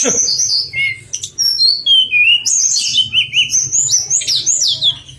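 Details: Pied fantail song used as master material for contest birds: clear whistled phrases descending in steps, then quick rising and falling notes repeated several times a second, with a faint hum beneath.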